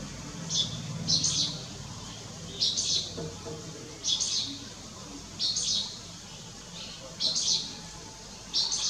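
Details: Striated swallow at Lugu, recorded 30 June 2022: a series of about eight sharp, high chirped notes at irregular intervals of one to one and a half seconds, faint low noise behind.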